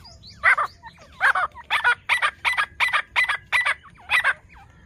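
A francolin gives a loud, harsh series of about ten ringing notes, quickening then settling into a steady beat about every third of a second, over faint background hiss.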